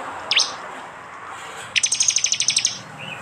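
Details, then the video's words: Prinia song from East Java, captured on an Android phone for a 'tembakan' training track. One sharp falling chirp is followed, after a pause, by a fast series of high ticking notes lasting about a second. "masteran Tembakan prenjak jali keras"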